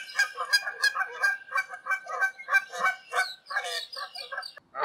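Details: Canada geese, wild and flying high above the ground in Canada, give a steady stream of loud, nasal two-toned honks, several birds overlapping, about three calls a second.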